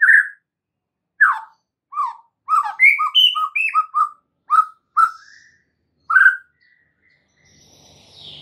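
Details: White-rumped shama, lively training song for songbirds: spaced, clear whistled notes, some swooping down and some rising, in an uneven sequence, with a soft rustle at the end.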